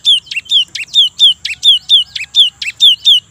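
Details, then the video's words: Cinereous tit repeats a clear two-part phrase, a short high note followed by a lower whistle, about every quarter second throughout. The voice is loud and rhythmic against a quiet background. "suara gelatik Gacor pagi siang sore pancingan khusus gelatik batu"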